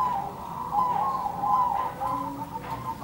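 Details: Zebra doves calling back and forth in a continuous, slightly wavering stream of soft trilled cooing, with fainter overlapping notes from another bird underneath.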